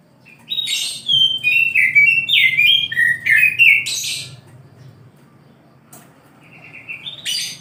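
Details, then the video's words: Morning song of an oriental magpie-robin, a rapid run of varied whistled and buzzy phrases dipping and rising, then a pause and a short rising whistle at the end; low hum underneath. "KICAU KACER DI PAGI HARI"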